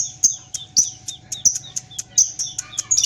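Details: Lovebird giving its long ngekek chatter while playing its tail: sharp, high chirps repeated at an uneven pace, some with a short lower trailing note, against a faint steady hum.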